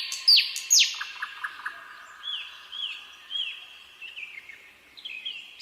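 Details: Nightingale song: sharp downward-sweeping whistles, then a soft repeated low chirping, followed by a run of bright, evenly spaced slurred notes that rise and fall, repeated roughly every half second.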